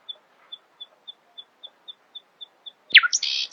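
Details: Nightingale singing in the early morning: a steady row of soft, high pips about every quarter second, then a sudden loud, harsh burst of buzzy notes at the end.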